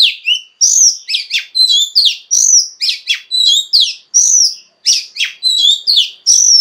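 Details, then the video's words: Female Oriental magpie-robin singing to stimulate males: a steady, rhythmic series of loud whistled notes and sharp chirps, repeated about every half second with varied pitch. "Choè than mái kích trống hay nhất"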